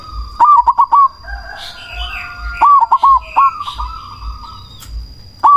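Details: Cemani zebra dove, a strong-voiced lure bird meant to make rival doves call back and to stir breeding drive, delivers two rapid bursts of four mellow hooted notes, then starts another. Other doves coo and trill throughout.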